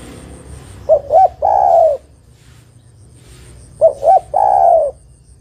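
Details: Female spotted dove calling to a male: two short clipped coos followed by a long, drawn-out falling coo, the phrase heard twice about three seconds apart against a quiet background.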